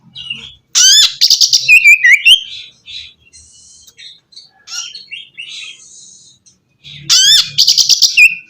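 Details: Song of the Oriental magpie-robin, intended to stimulate a bird that has stopped singing: a loud burst of sweeping whistles and buzzy trills, a quiet stretch of soft notes, then another loud burst.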